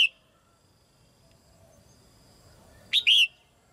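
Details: A female red-whiskered bulbul sings in its cage to get young birds singing more; a cut-off note at the start, then after a pause one bright whistled phrase of a sharp chirp and a falling slurred note.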